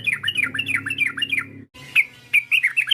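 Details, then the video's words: Sooty-headed bulbul call used to provoke a rival into singing: bright chirpy phrases of quick rising and falling notes, a short break, then sharper repeated chirps, with a faint low hum underneath. "PANGGILAN TRUCUK ini memancing emosi lawan, TRUCUKAN langsung BUNYI GACOR"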